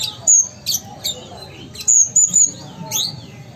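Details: Kept ruby-cheeked sunbird from Sumatra singing hard: piercing high chips and short sweeping whistles in quick clusters, with pauses between bursts and one longer arching note near the end; low hum in the background.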